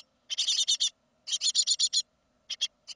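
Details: Second-brood great tit young leaving the nest in 2016, giving clustered runs of rasping, buzzy chirps, each run of five or six notes followed by short pauses and a few single chirps.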